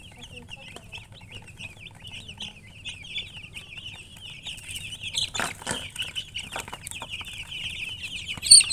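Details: Chicks giving a continuous run of thin, high peeps in rapid succession, interrupted midway by loud wing flapping and rustling, with a sharp knock at the end.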